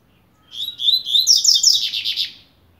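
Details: Double-collared seedeater, called a coleiro of the blade type, starting to warm up: one rapid phrase of about two seconds made of high, sharp chirped notes that grow brighter and more buzzy toward the end.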